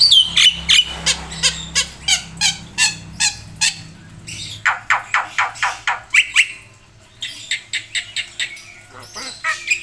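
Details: Vigorous black-winged myna song full of filler phrases: rows of rapid, harsh, squawking notes repeated roughly three per second, broken by short whistled slurs, over a faint low hum.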